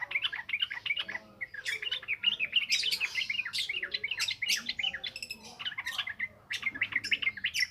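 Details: Yellow-vented bulbul pouring out ngropel ngalas song as a training lure: rapid, bubbly warbled notes repeated about three per second, lively and continuous with a brief dip near six and a half seconds.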